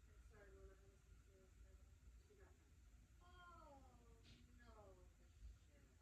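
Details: African grey parrot talking indoors: a run of short voice-like phrases, some with gliding, wavering inflections, fairly quiet over a steady low hum.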